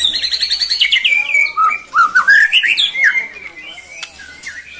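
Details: White-rumped shama in energetic song, kept bird from Cilacap, Indonesia, showing brantakan fill: fast high chattering notes slide into varied descending and looping clear whistles, then quieter scattered whistled phrases with faint clicks.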